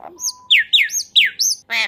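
Black-collared Starling giving harsh, screechy calls: four loud swooping notes in under two seconds, mixed with metallic chatter and a brief steady whistle at the start.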